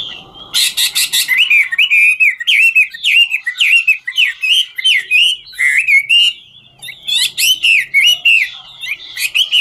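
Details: Chinese hwamei, a 'ngũ trường' style singer, singing while dancing: loud, rich whistled phrases, rising and falling, delivered in quick varied bursts with short gaps, bright and ringing throughout, no other sounds.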